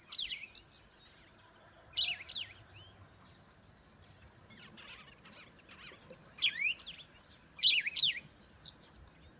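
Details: Pet zebra finches from a family kept for breeding, including a tiny baby, give short, bright, sharply sweeping chirps. They come in small bursts near the start, around two seconds, and in a busier cluster late on, over a soft low hum.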